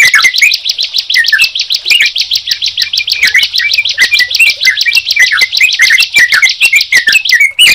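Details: Bar-winged prinia and yellow-vented bulbul in a busy duet of fast high chattering notes, nearly unbroken, punctuated by lower sliding whistles throughout.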